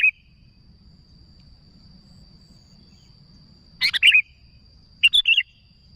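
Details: Sooty-headed bulbul calling to its fellows: a brief note, a long pause, then two quick gurgling phrases a second apart, with a thin steady high tone throughout.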